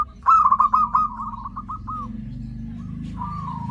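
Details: Zebra dove, a lure recording for attracting other zebra doves: a loud fast stuttering string of coo notes that slows and fades, then a quieter drawn-out coo over background hum.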